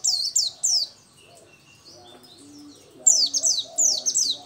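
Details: Local 'dakun' Oriental white-eye twittering keenly, short high descending chirps opening and closing the passage with a quieter gap of faint low background noise between.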